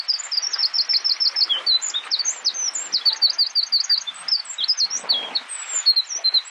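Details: Eurasian wren (Troglodytes troglodytes islandicus) singing at Barnafoss, Iceland, in June 2019: a loud, high, rapid outpouring of trills and sharp twittering notes with rattling runs and quick bright phrases.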